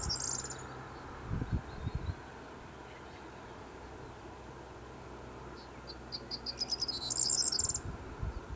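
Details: Corn bunting singing at Foxton, Cambridgeshire, in May 2018: two bursts of dry, glassy jangling notes, a brief one at the start and a longer accelerating jingle near the end, over a steady low rumble of wind or distant traffic.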